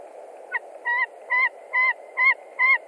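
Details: At a Latvian nest in March, a white-tailed eagle screams at a visiting stranger eagle: six evenly spaced, clear yelping notes with a slight downward curve, over constant low rumbling noise.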